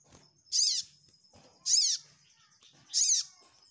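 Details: Ruby-cheeked sunbird sound used to seek a rival: three loud, sharp, high notes about every 1.2 seconds, each ending in a falling sweep, with a thin steady high tone and faint ticks between them.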